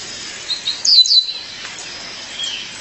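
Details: A female violaceous euphonia calls to her partner with one bright burst of high, downslurred chirps around the middle, a few faint notes before and after.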